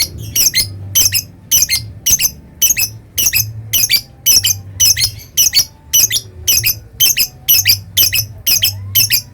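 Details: Lovebird delivering the long ngekek chatter valued by keepers: bursts of harsh, high, grating squeaks, often doubled, repeat nearly twice a second in a steady run, with low background hum.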